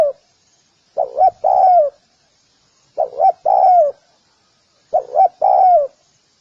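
A spotted dove gives a soft, mellow coo phrase every two seconds: two quick notes, then a longer drawn-out croon. The background is quiet.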